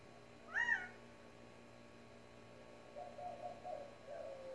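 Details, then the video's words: Backyard quail in the Tucson desert giving a single sharp arched call near the start, then a few faint, lower, wavering notes later over a quiet background hum. "Quail making funny sounds in the Tucson desert"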